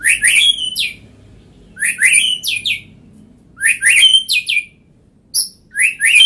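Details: White-rumped shama singing loud phrases of rising, slurred whistles mixed with sharp high ticks, each phrase about a second long and repeated after short pauses, with a quiet background.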